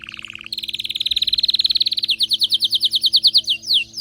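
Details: Canary singing with excitement: a low short trill jumps to a higher, faster rolling trill. This gives way to repeated sharp descending chirps and ends in a couple of longer sweeping whistles.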